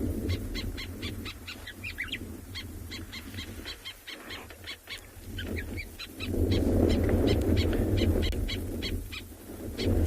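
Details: White-browed sparrow-weaver giving an alarm call while mobbing a large snake, joined by another, at Tswalu Kalahari Reserve, South Africa, 15 October morning: one sharp chattering note repeated three or four times a second over low wind and a man talking.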